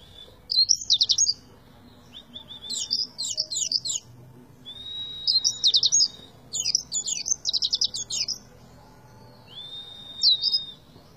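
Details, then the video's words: Oriental white-eye delivering tembakan-style song: separate phrases of rapid high trilled notes, each often opened by a thin level whistle, spaced by short pauses over about eleven seconds, in a quiet background. "PLECI TEMBAKAN ADUHAI"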